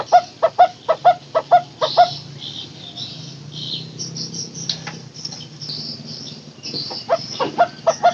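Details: Barbet, locally called takur teguk teguk, opens with a quick run of regular hollow hoots, then a pause filled with faint hiss and scattered higher chirps before the steady hooting returns near the end.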